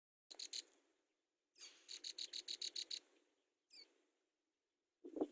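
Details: Hungry Brown prinia chicks in the nest while a parent feeds them: a short burst of high, thin chirps, then a fast run of about eight sharp, evenly spaced squeaks, and one brief rising note near the end.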